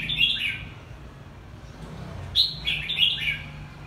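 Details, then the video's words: Red-whiskered bulbul, two-season bird from Quảng Nam, Vietnam: a lively whistled phrase, a pause with low rumbling background, then a longer burst of quick chirpy notes with bright accents. "Siêu chào mào hai mùa Quảng Nam"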